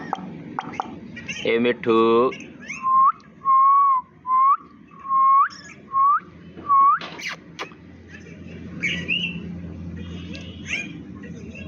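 Indian ringneck parakeet: a short throaty, speech-like phrase, then about six clear whistled notes at a steady pitch, several ending in an upward flick, over light room noise.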